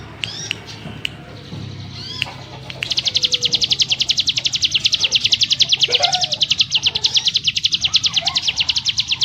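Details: Several sharp thin chirps and clicks open, then the ciblek gunung breaks into an unbroken, very rapid high-pitched buzzing trill that continues for over six seconds.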